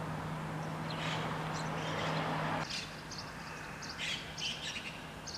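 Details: Five barn swallow nestlings in a repaired nest at 5:30 in the morning on 6 June 2021, with feeding seen. Short, high chirps come in quick irregular bursts, and a steady low hum runs underneath through the first half.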